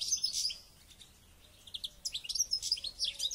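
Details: Kept European goldfinch trained for a local goldfinch championship, singing bright, high, tinkling twitters in two bursts separated by a brief lull.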